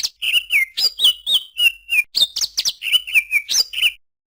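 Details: Greater green leafbird delivering a lively song of alternating sharp high chirps and slurred falling whistles, repeated in quick phrases roughly three times a second.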